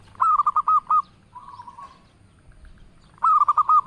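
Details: Local zebra dove singing its melodious coo, said to make other zebra doves answer: a stuttering string of five or six short coo notes, then a drawn-out purr, and the same staccato phrase again at the end.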